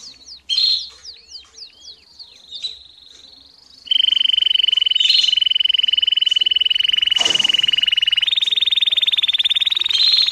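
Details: Domestic canary singing and calling as training for young birds. Brief falling whistled notes give way to a long, loud, steady pulsed roll on one high pitch that steps slightly higher near the end.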